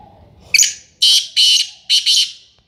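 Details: Sindhi black francolin gives its grating call: a single sharp note followed by two drawn-out, raspy syllables and a final doubled rasp, loud and clear in a quiet setting.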